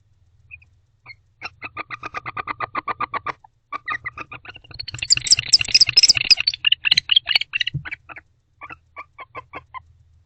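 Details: Wild barn owls giving varied, loving vocalizations close to a nest-box camera late at night in late October 2023: a long run of quick, evenly spaced chattering notes, then a dense burst of high twittering squeals, then scattered chirps again; low background hum.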